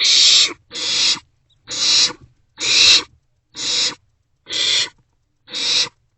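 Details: Barn owl chicks in a nest box at night, 27 March 2024, passing food between them; seven even, noisy screech-hisses at steady spacing of almost a second, with faint rustling beneath.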